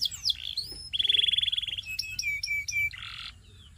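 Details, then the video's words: Singing canary used as a training song: quick varied phrases open the song, then a fast steady trill runs for about a second, followed by sharp descending whistled notes and a brief harsh buzz at the end. "Make Your Canary Sing All Day Long!"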